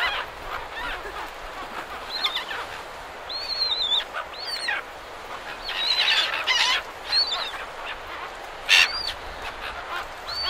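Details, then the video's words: Silver gulls, several birds, at Perth, Australia, calling over breaking surf: many thin, high, bending cries, some rising then falling, overlapping in irregular bursts for ten seconds, with a sharp loud cry near 8.8 seconds. "Silver Gull. MCU Calls From Several."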